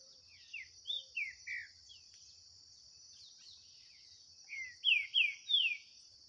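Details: Green-winged saltator dueling in song with a wild bird in the forest, 2023: several falling whistled notes, quiet gap, then three loud descending slurs in quick succession, with a steady high insect whine throughout.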